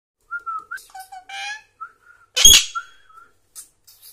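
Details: Pet parrot speaking, saying Malayalam words such as "Ponnae aara?" and "Thathama"; soft whistled tones and voice-like mimicked syllables, broken by one loud harsh squawk midway, then short quiet notes.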